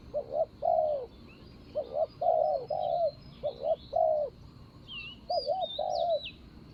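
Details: Decoy spotted dove on the ground luring a rival, dated 24 January 2565 (Thai calendar). Its repeated coo phrases pair short notes with a longer falling coo. Clear whistled calls of other birds sound near the end.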